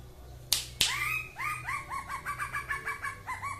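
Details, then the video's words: Leafbird of the Aceh type singing in the 'mabok' style. After two sharp slaps, a run of arched, slurred whistles follows, quickening and repeating several times a second. "Kicau Cucak ijo 1/2 Mabok . Aceh"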